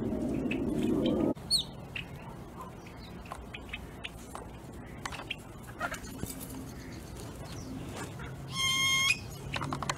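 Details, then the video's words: A group of male and female yellow-headed blackbirds, eating from feeders at Henderson Bird Viewing Reserve, Nevada, give scattered sharp chips and clicks, then a brief harsh, buzzy rasp, after an opening burst of low rustling. "Male and Female Yellow-headed Blackbirds Callings"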